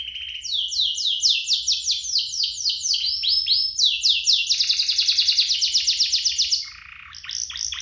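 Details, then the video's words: Energetic canary song from a two-bird compilation used as a singing lure and master song for young canaries. Rapid rhythmic chopping trills build into a fast buzzy roll, then drop to a softer lower rattle. "Kompilasi DUO GACOR, cocok untuk pancingan kenari biar gacor, masteran kenari paud"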